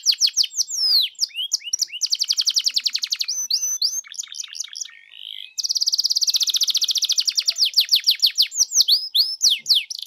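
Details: Canary song used as a lure to set other canaries singing: fast rattling trills of repeated high notes, quick downslurred whistles, a short lower warbling break midway, then a long dense buzzy roll and sweeping slurs.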